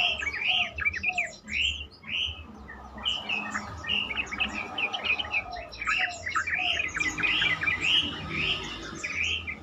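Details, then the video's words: Yellow-vented bulbul singing as a lure to stir other bulbuls into answering: a clear run of arched, bubbly whistled notes repeated in quick sequences, some brief pauses between phrases. "pancingan trucukan terkomplit sangat bagus untuk membuat trucukan lain lebih gacor"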